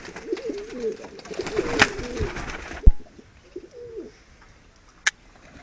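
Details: Medium-sized diving tumbler pigeons give rolling, wavering coos for almost three seconds, then a loud thump. A brief coo follows, then a short sharp tap near the end.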